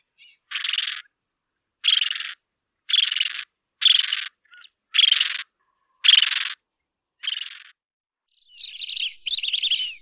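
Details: Bridled tern producing a rhythmic series of loud, harsh, rasping calls about once a second, ending with overlapping higher, wavering squeals from more than one bird.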